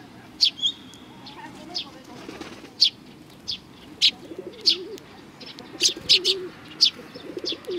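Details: Chattering of sparrows at a Tenmangu shrine in Japan on 22 May 2019: irregular bright chirps, some in quick pairs, over a low, soft cooing murmur in the background.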